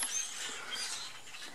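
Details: A flock of starlings, an invasive bird in North America, pausing in trees during migration before moving east; a dense, shrill chatter of squeaky, wheel-like notes with thin high whistles over steady background hiss.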